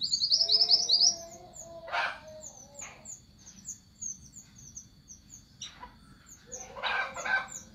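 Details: Orange minivet calling the flock: thin, very high, short whistled notes repeated rapidly, with a quick chattering run at the start and a few louder chirps in between.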